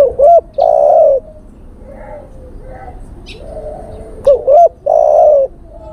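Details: Male spotted dove calling a female, used as a bird-luring call: two short rising-falling hooting notes, then a long steady coo near 600–700. A fainter answering coo follows. The whole phrase repeats after about four seconds.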